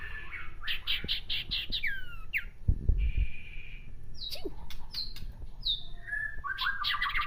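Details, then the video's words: Common iora giving harsh chattering to provoke a rival: bursts of rapid repeated notes and steep downslurred whistles, a steady buzzy tone mid-way, with a low thump and background noise. "burung sirtu pancing emosi lawan dengan cetrekan kasar"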